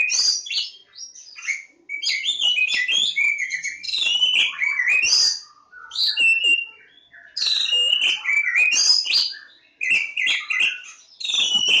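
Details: Oriental magpie-robin, Javan form, at Lebakgowah singing a rich, continuous medley of clear whistles, slurred glides and rapid chips, delivered in bursts of two to three seconds with brief gaps.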